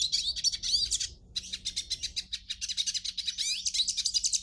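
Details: Captive hooded siskin song, used to prompt another bird to sing: high twittering bursts separated by short pauses, then a long run of fast, evenly pulsed chirps with warbled slurs.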